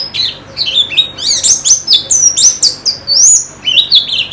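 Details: High, fast white-eye song in a recording meant to coax the bird into quick, vigorous singing: sharp rising and falling whistled chirps in quick, irregular bursts, each phrase a cluster of bright slurred notes, over a faint hum.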